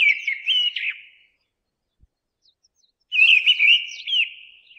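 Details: Mistle thrush singing: a short run of clear, fluty whistled notes that rise and fall, then about two seconds of silence, then a longer whistled phrase with quick slurred turns that fades at the end.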